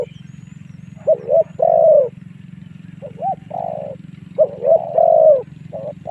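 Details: Lure cooing of a spotted dove, used to draw wild doves into fighting; stuttered short coos followed by long coos in several phrases, with a steady throbbing engine-like hum underneath.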